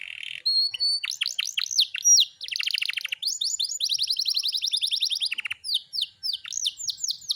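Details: Varied canary song from a kept bird mixes drawn-out whistles, dense buzzy rolls and long rapid trills of short notes, with changing phrases throughout.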